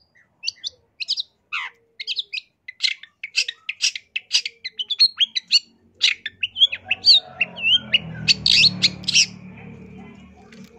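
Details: Long-tailed shrike in gacor full isian song, a long run of sharp high chips and short slurred whistles speeding up into a dense chattering medley, with a low rumbling noise rising underneath near the end.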